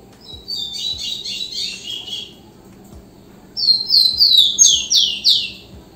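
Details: Song of a rufous-collared sparrow, tico-tico: a soft, buzzy, trilled phrase of quick descending notes, a pause, then a louder run of five clear whistles, each dropping sharply in pitch.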